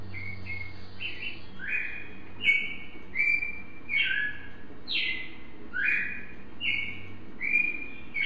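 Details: Brazilian cardinal (cardeal) in song: a lively series of short slurred whistles, some rising and some falling sharply, roughly one or two per second over about eight seconds, with a faint low hum beneath.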